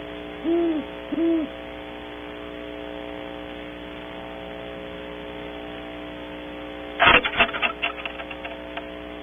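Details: Early-morning pair of great horned owls at a cavity on Audubon Starr Ranch, California: two short, low hooted notes open the recording, followed later by loud knocking and scraping noises near the microphone.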